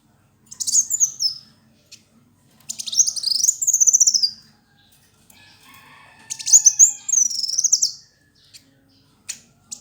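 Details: Fighter-type male kolibri wulung sunbird singing energetically: three bursts of very high, rapid twittering with swooping whistled slides, separated by short pauses, with scattered sharp ticks between phrases.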